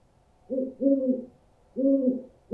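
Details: An owl calls with a short hoot, then a longer one, then after a pause another drawn-out hoot, all low and steady. A new hoot begins at the very end. The sound is used to scare birds.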